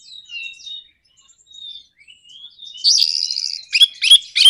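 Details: Orange-headed thrush singing to provoke other birds: soft, thin whistled notes and gliding phrases at first, building into a loud stream of rapid, scratchy chattering and sharp clipped notes.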